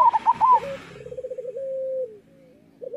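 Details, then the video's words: Local zebra dove master song: a loud high rolling coo over a brief noisy burst, then a long trembling trill that slowly drops in pitch and fades, with a short coo at the end. "Perkutut lokal gacor Suara Masteran Burung Perkutut Paling Ampuh"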